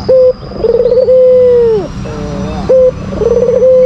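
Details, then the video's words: Albino white Barbary dove calling to rile up a rival bird: a brief level coo, a quick throbbing trill, then a drawn-out even coo falling at its close, the pattern starting again; a thin steady whine runs throughout. "Pancingan bikin emosi lawan, Albino Gacor !!!"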